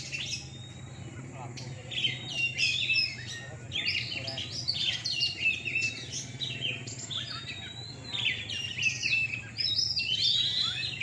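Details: Night contest of caged Oriental magpie-robins (kacer) in Surabaya, Indonesia: choppy bursts of high whistles and trills from several birds, quieter at first, then denser, over a steady low hum.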